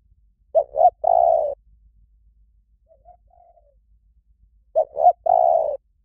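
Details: Asian koel call recording meant to be played daily to train and stimulate captive koels: two quick mellow notes, then a longer drawn-out hoot, a phrase given twice a few seconds apart. Faint soft notes sound in the pause.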